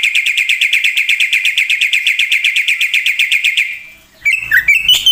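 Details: Black-winged myna giving a rapid, even rattle of buzzy notes for several seconds, then a brief pause and a few varied sharp chips.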